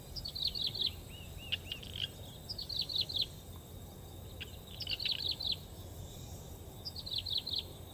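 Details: A skylark in the wild gives quick bursts of high, chirruping twitters, each under a second long and repeated every couple of seconds, over a steady low rumble.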